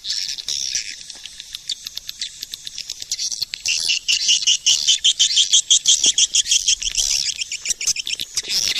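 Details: Swiftlet lure call made of rapid high chirps and trills, rising into sharper pulsed twittering after midway, repeating about three times a second.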